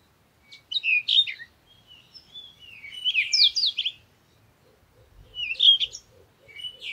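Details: A parakeet gives bursts of squeaky, twisting chirps and warbles, about one phrase every two seconds with quiet gaps between, and faint soft ticking underneath in the middle of the burst.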